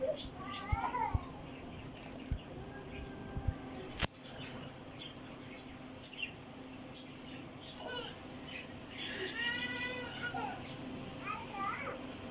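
A budgerigar chatters in short bursts of warbled, rasping chirps over a steady indoor hum.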